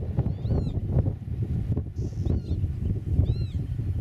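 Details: Eurasian oystercatcher on the nest in grassland, camera eight metres off: two short, shrill piped calls a few seconds apart, with a brief higher whistle between, all over a heavy wind rumble.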